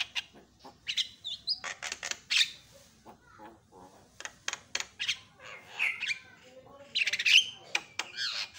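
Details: Javan myna giving a noisy run of harsh squawks and sharp chattering notes in irregular bursts, with some high whistled notes mixed in; a silent bird turning noisy within seconds in response to a lure call.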